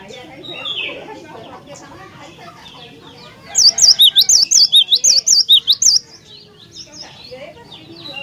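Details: Cinereous tit in lively full song, used to lure other tits into singing: a burst of about ten rapid, high, ringing two-note phrases in the middle of the recording, set against soft background chirping from other birds.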